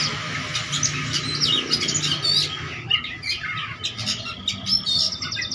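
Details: Oriental magpie-robin in vigorous song, seeking a rival, full of varied song elements: rapid sharp chirps, squawky notes and whistled phrases tumbling in quick succession, over a steady low hum and faint low rumble.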